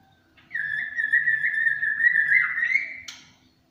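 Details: White-rumped shama with champion status, singing 'tembakan cililin': one pure sustained whistle held for about two and a half seconds, slightly wavering, then ending in a short upward flick.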